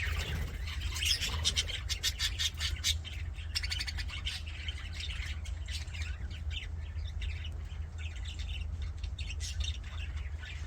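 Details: Happy budgerigar sounds: clusters of fast, clicking chirps and scratchy warbling in the first seconds, then quieter, scattered twittering over a strong low hum.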